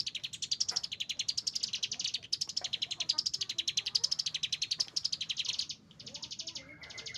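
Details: Chinese hwamei in an agitated, raging song: a long rapid volley of high clipped notes, evenly pulsing, then breaking into short separated bursts near the end.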